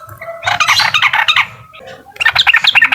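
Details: Sooty-headed bulbul's uklik song, said to make a rival agitated: a bright, bubbling chatter of fast notes for about a second, a brief lull, then a higher, sharper run of clipped notes.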